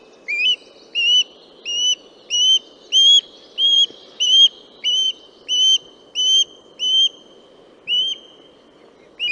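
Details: Western osprey calling in a long, regular run of about fifteen loud, piping whistles. Each is short and slightly rising, delivered about twice per second with little pause, against a quiet background.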